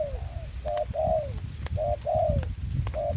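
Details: Spotted dove used as a decoy bird for trapping in Vietnam during the COVID-19 season, giving low cooing notes in repeated phrases: a short coo followed by a longer falling coo, twice over, with low rumbling background noise and faint clicks.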